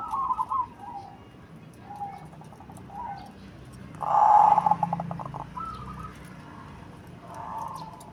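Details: Big-bodied Cemani zebra dove with a big, deep voice, its cooing phrases softer and spaced across the recording, one louder burst of quick pulsed notes ending in a held tone midway, over a low background hum.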